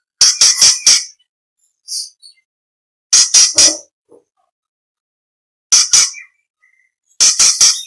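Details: An orange-bellied leafbird gives its fill-in phrases as training material for other contest songbirds: clusters of three or four rasping, clipped notes, separated by brief gaps, with a few softer chirps in between.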